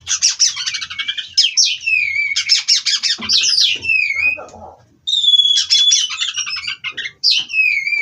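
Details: Captive-bred Oriental magpie-robin singing non-stop in a rolling style: loud rapid trills and chattering bursts mixed with clear downslurred whistles and a sustained high whistled note, with a short pause midway.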